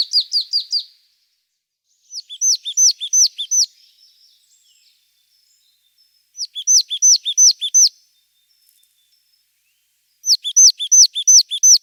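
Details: Marsh tit song in bright repeated phrases of five to six sharp, downslurred high notes, delivered rapidly. A new phrase starts roughly every four seconds, with silence between.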